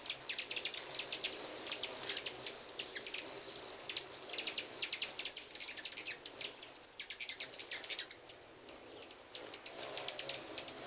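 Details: Numerous hummingbirds arriving at a home in large numbers make sharp, high ticking chips, busy at first and then thinning, with a continuous shrill insect-like drone throughout.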